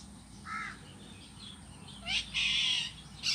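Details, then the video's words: A pet green rose-ringed parakeet that is starting to talk gives one short, muffled syllable, then harsh, loud, buzzy screeches near the end. "Talking Start 🦜 my green Ring nek parrot"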